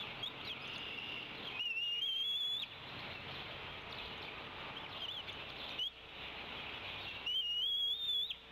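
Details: A female bald eagle at Decorah calls off the nest in late afternoon, 27 April 2016, objecting as the male feeds the eaglets. Two high, thin whistles rise steadily, each about a second long, separated by steady background hiss.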